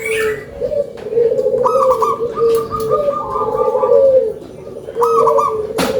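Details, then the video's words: Local zebra dove with a big voice, delivering continuous low bubbling coos that rise and fall. Higher trilled notes run alongside, and a brief higher call opens the recording. "PERKUTUT LOKAL SUARA BESAR"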